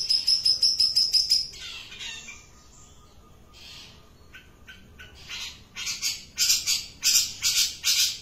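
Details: Long-tailed shrike singing energetically: rapid high whistled notes, then quieter scratchy fragments, building into loud, harsh, buzzy bursts repeated at a steady beat.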